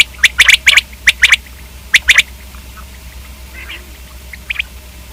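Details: Common quail gives a few quick triplets of sharp, bright notes in the first two seconds, then falls quiet except for two faint rasps.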